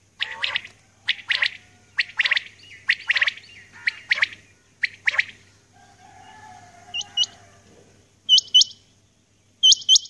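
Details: Female common quail heard in the early morning: six quick groups of sharp, scratchy notes in the first half. After that come a soft drawn tone and paired high, hooked whistles from another bird.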